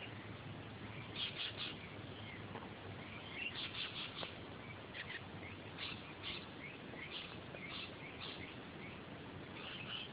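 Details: Rainbow lorikeets eating new blossom beside a golf course near Curtin University. Faint, harsh screechy chirps come in short scattered bursts, some in quick pairs, over a steady low background hum.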